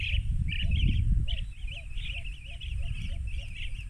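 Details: Rufous-crowned bee-eaters at Banna, Ilocos Norte, Philippines, 19 March 2021 at 14:30, give a steady run of short, rolling, trilled notes, several a second, over heavy low wind rumble.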